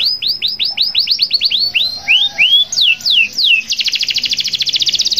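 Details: Local canary in full song, used to prompt other canaries to sing: a quick run of rising-falling whistled notes, several slower drawn-out slurs, then a very fast buzzy trill.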